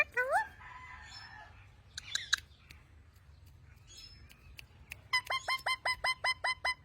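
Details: Talking pet parrot, known locally as mian mithu, giving a rising whistled note, a few sharp clicks, then a fast run of about ten identical bright chirps near the end.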